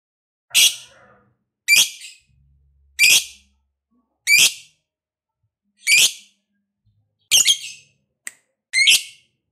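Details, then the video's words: Lovebird giving loud, separate shrill squawks, each a short harsh burst, spaced roughly a second and a half apart, with silence in between. "SUARA BURUNG LOVEBIRD NGEKEK PANJANG, CEPAT NAIKKAN EMOSI Pancing Lovebird Langsung NGEKEK"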